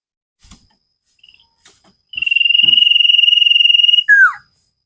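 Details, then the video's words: Common iora from a cage-bird training recording, singing vigorously: after a few faint ticks, a steady trilled whistle runs for about two seconds and ends in a quick falling slur. "Burung cipow sirtu masteran Gacorrr banget"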